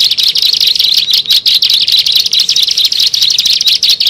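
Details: Bar-winged prinia used for luring birds: a loud, quick run of piercing high chirps delivered in closely spaced bursts, with nothing else audible.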